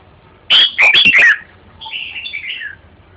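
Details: Red-whiskered bulbul singing: a loud burst of four quick, slurred warbled notes, then a softer fluttering phrase that falls in pitch, over a quiet background.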